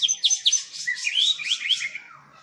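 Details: Captive white-rumped shamas at a breeding farm in Palembang, Indonesia. A fast run of high, ringing whistles and slurred notes rises and falls over about two seconds, then fades out.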